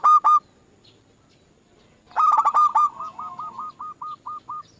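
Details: Zebra dove lure song meant to set other doves singing: a loud two-note burst, a pause, then a long series of rolling coos that slows into evenly spaced, fading hooked notes.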